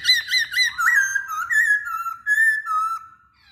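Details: Masked laughingthrush singing to coax other birds into song, giving three quick clipped notes followed by a series of long, slightly wavering whistles that drift gently downward.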